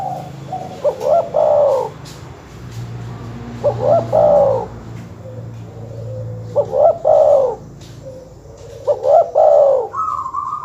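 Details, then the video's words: Dove lure recording used to provoke rival birds, with four clear coo phrases spaced about every two to three seconds. Each is a short rising note followed by a longer, drawn-out mellow coo, over a faint low hum. "suara masteran terkukur/kutut bikin emosi lawan"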